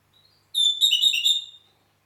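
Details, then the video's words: In Heraklion, Crete, a red-rumped parakeet opens with a thin, faint note, then breaks into a second-long run of rapid, fluty whistles that rise and dip quickly before trailing away into silence. "Red Rumped Parakeet - HERAKLION CRETE"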